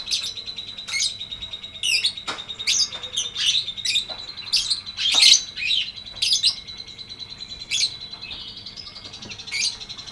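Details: Lovebird singing in the ngetik ngekek panjang style, used as a tutor recording for birds that have stopped singing: loud, piercing chirps and squeaky notes tumbling out in quick irregular runs, with a steady thin tone behind them.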